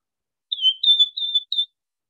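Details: Wing-snapping cisticola's single "airs" phrase at full speed, its key feature the inflection on the airs note: four thin, high whistled notes, the first dipping down, the rest level, all within under one and a quarter seconds.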